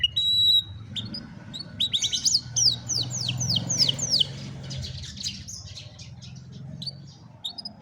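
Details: Canary song recorded by cellphone for training a lazy canary: a quick run of high descending whistled notes, then softer fading trills and chirps, with a low background rumble.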